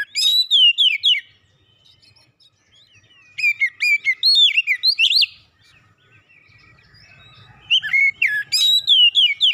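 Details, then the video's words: White-rumped shama song played as recovery therapy for a stressed bird; three loud bursts of rapid whistled slurred notes, each lasting one to two seconds, with quiet pauses and faint low hum. "terapi Kacer dan pemulihan Kacer setres cepat gacor"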